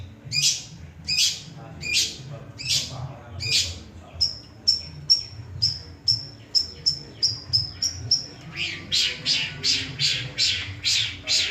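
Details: Long-tailed shrike (cendet) copying other birds: harsh rasping notes repeated about every 0.7 seconds, then a fast series of clear high whistled pips, then more rasping bursts, over a steady low hum.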